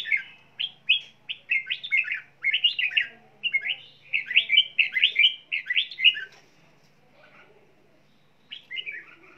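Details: A red-whiskered bulbul sings while flapping its wings, giving a quick, bubbling run of rich, warbled phrases for about six seconds, then pauses and adds a short, bright phrase.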